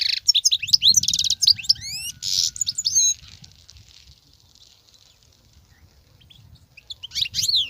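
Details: Wild goldfinch delivering nonstop twittering song: dense high chattering notes, rapid buzzy trills and sweeping slurred whistles for three seconds, then a pause with faint rustling before the bright twitters resume.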